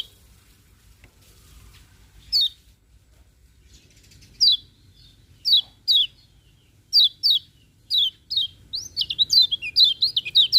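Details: Lemon-bellied white-eye heard in the morning: isolated high downslurred chirps spaced a second or more apart, speeding into a quick, tumbling run of sweet twittering notes at the end.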